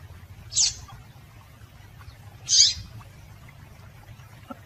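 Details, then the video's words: Call of a female rusty-collared seedeater, meant to excite male birds into song; two isolated high, sharp notes about two seconds apart against a quiet low rumble. "Piado de Fêmea de Coleiro para Esquentar Coleiro"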